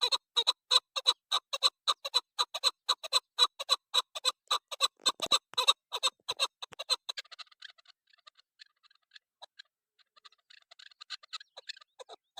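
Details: A female chukar partridge gives a long run of loud, grating, evenly repeated notes, about four each second for seven seconds, then softer broken clucks and faint chatter.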